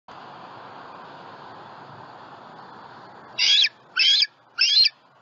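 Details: Bald eagle eaglet at a nest in Southwest Florida, 23 June 2020, squealing while jumping down to the spike extension: a steady hiss of background noise, then three loud, harsh, high squeals about half a second apart.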